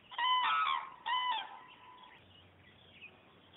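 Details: Departing cranes on the wing give two loud, ringing bugled calls in the first second and a half, followed by faint echoing notes and a low droning hum.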